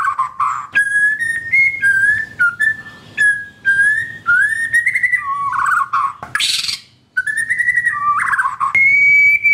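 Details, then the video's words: Continuous whistled song of a white-rumped shama, used as therapy to make silent caged birds sing: clear sustained notes stepping up and down, with brief warbled trills and one harsh burst midway. "Pancingan Murai Batu - Terapi Murai Batu macet"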